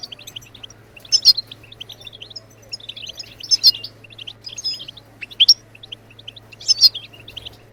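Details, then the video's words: European goldfinch, locally called maqnin, singing. High, tinkling twitters and chirps come in bursts roughly every one to two seconds. A steady low hum runs beneath. "بتبتات الحسون لتحفيز الطيور على التغريد"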